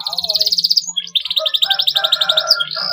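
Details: Canary song of the 'gacor fighter' style, played to stimulate young canaries to sing: a fast buzzy trill of repeated notes, a short pause, then another rapid rolling trill with lower warbled notes beneath and a faint steady low hum.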